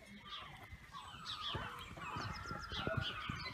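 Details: Captive pair of hornbills at Thrigby Hall Wildlife Gardens, Norfolk, filmed 15 February 2015 on an iPhone 6, birds seemingly agitated; harsh honking calls with stacked overtones repeat through the recording over handling noise and low rumble.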